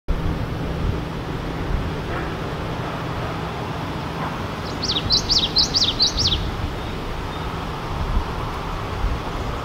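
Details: Male common yellowthroat singing on 11 May 2018 in Richmond, British Columbia. A single high, rapid burst of about five repeated bright phrases, lasting under two seconds, rises above constant loud traffic rumble.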